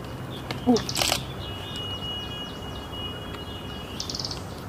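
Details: Kashmir flycatcher calling in the hills of Srinagar, Kashmir, in June 2022: thin, high chirps in quick little clusters with a steady thin whistle-like tone between them, a sharp knock and soft background hiss.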